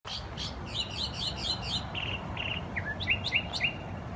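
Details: Noisy birds chirping in the morning: a run of quick rising chirps, then clipped high notes and short sweeping whistles, several callers overlapping over a steady low background hum.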